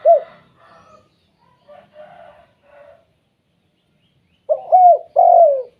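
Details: Spotted dove used to set off other doves: an opening coo, softer scattered cooing notes for a few seconds, then a louder phrase of a hooked coo and a long, downward-sliding coo.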